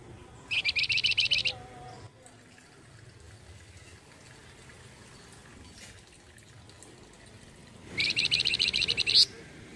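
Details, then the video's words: Tutor bird used for teaching caged white-rumped shamas gives two short, high, rapid trills about seven seconds apart, each a quick string of evenly repeated notes, with quiet background between. "BURUNG MASTERAN UNTUK MURAI BATU"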